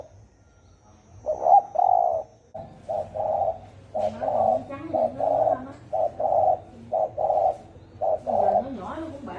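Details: Spotted dove calling rapidly in 'thổ ồm' style to provoke 'thổ đồng' doves: a long string of husky coos at about one per second, with a wavering low voice-like sound running beneath the later coos.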